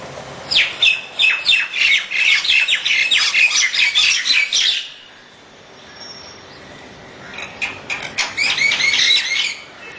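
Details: Four Indian (common) mynas fighting on a terrace in the morning sun. They give harsh, rapid squawks and chattering notes in two noisy bursts with a brief quiet spell between.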